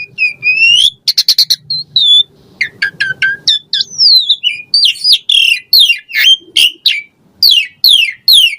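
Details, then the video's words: Asian pied starling in full, varied song used to prompt caged birds: opening rising whistle, a rattle of clicks, then a long stream of squawks, squeaks and sliding whistles, each phrase short and different. "Jalak Suren Gacor Full Isian Variasi Mewah !!! Pancingan Jalak Suren Ocehan Suara Burung"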